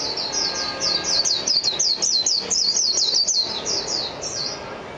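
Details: A Japanese white-eye delivers one long, rapid run of high, sweet, tumbling notes, slowing into a few last separate chirps.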